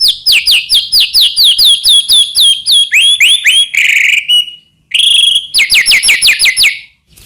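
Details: White-rumped shama of the Medan type in full song, used as a lure to provoke other shamas into singing: fast runs of loud, sharply descending whistles, then rising slurred notes, a buzzy burst and more rapid whistled series.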